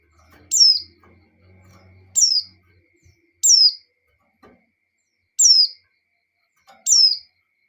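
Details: Breeding female white-eye calling a male: five high, thin notes that fall sharply in pitch, irregularly spaced, over a low hum and soft rustling in the first three seconds.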